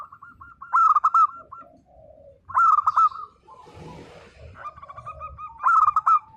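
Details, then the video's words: Local zebra doves singing, several birds together: three loud bursts of rapid, bubbly staccato coos with quieter coo phrases from other doves between them and a soft rustle near the middle. "perkutut lokal gacor _suara nembak perkutut lokal bisu_"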